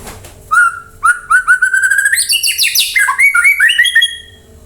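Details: Singing white-rumped shama used as a lure to set other birds singing; a rapid run of repeated upslurred whistles climbing in pitch into a dense rich flourish, then stepping back down in clear notes.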